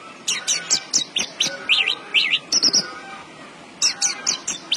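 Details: Caged Javan bush lark sings in full voice: rapid bursts of sharp, high chirped and trilled notes in quick clusters, a short pause, then more bright twittering phrases.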